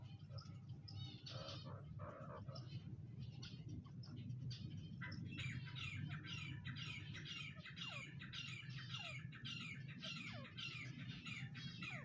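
Harsh, grating calls from a grey francolin repeat rapidly in bursts, with short falling notes between them, over a steady low rumble.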